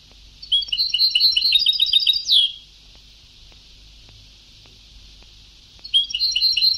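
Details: Vintage European goldfinch song recording with a rapid liquid twittering trill lasting about two seconds, ending in a downward slur, silence, then the trill resuming.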